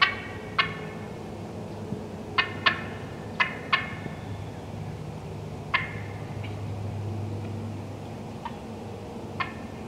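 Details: Sharp, abrupt clucks from wild turkey hens, cutting in irregular clusters during the first half and fading to sparse single notes, over a low rumbling background.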